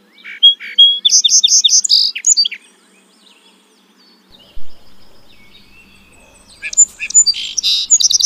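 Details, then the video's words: Song sparrow (Melospiza melodia), a North American species, sings a few clear introductory notes, then a rapid series of bright chips and a buzzy trill, repeated after a pause. "O canto do Tico tico musical"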